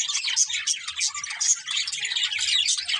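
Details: Budgerigars in a busy flock chorus, overlapping rapid high chirps and warbled twitters with no pauses, a faint low rumble in the background.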